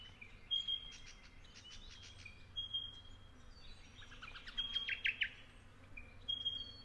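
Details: A Spotted pardalote pair raising a summer brood at their nest in Capertee Valley, with fledging taking place, gives sharp high chips and short trills over steady thin whistled tones, with a brief burst of rapid notes near the end.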